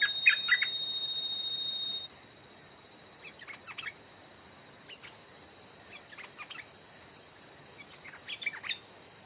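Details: Stripe-throated bulbul (nok dok taeng), an aggressive old wild bird responding to a caged decoy and twice mounting the trap stand. Short, bright chirpy phrases in scattered bursts follow a loud opening burst, over a steady high insect hiss.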